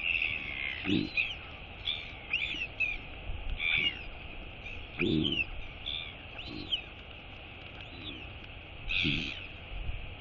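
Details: Royal albatross chick, female, wheeing during feeding on 23 August 2022: a busy run of short arched whistles mixed with repeated low rough bursts, all over a steady low rumble.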